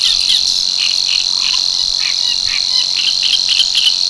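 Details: At l'Albufera's Tancat de l'Illa, a male Savi's warbler delivers its monotonous reeling song, a dense, sustained high buzz lasting the whole stretch, accompanied by frequent short, irregular chirps and croaks from other animals nearby.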